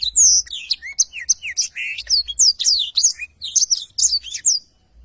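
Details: Black-throated canary singing as a tutor for training songbirds: continuous high, twisting whistles and sharp chirps, repeated rapidly and varied in pitch for about four and a half seconds.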